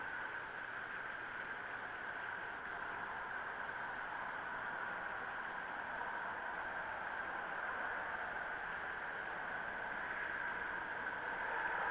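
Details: Only a steady broadband hiss and hum from the nest camera are heard, with no animal sounds.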